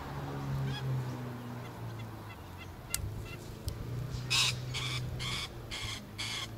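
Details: Rainbow lorikeet recorded on 11 November 2014, giving a run of five harsh, broadband screeches in quick succession in the second half, over a steady low hum and faint background noise.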